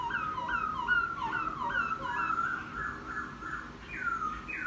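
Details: Wild-caught laughingthrush kept caged for ten days, chattering freely outside: an unbroken flow of bright, looping whistled phrases with rising and falling slurs, then a few louder downward-swooping notes.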